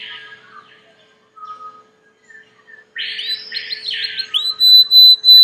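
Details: Belgian canary, a domestic canary, starting with soft quiet notes and a thin whistle, then breaking into loud rolling warbled phrases and high sustained whistled tones.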